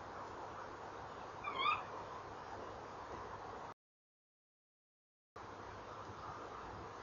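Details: One short, rising call from a tawny owl at a nest box on a November evening in 2013, followed by steady hum and a brief gap of silence.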